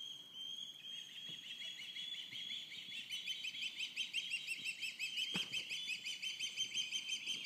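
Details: Ospreys, fledged chicks and adults, calling in alarm one morning at Cleawox Lake: a continuous series of high, thin whistled chirps repeated about three times a second, building in loudness, with a sharp knock midway.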